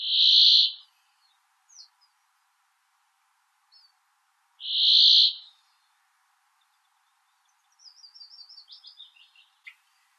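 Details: Brambling (Fringilla montifringilla) singing: long, harsh, nasal buzzing notes, each under a second, two in ten seconds, with a faint, quick twittering of another bird near the end.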